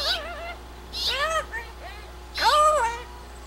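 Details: Male blue-fronted amazon on his playpen outdoors giving three drawn-out, meow-like wavering calls, each rising then falling, about one second apart, with faint hum beneath.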